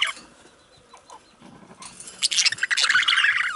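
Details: Male budgies, quiet at first with faint scratchy notes, then breaking into a dense, loud run of buzzy chirps and rapid warbled chatter for the final second and a half.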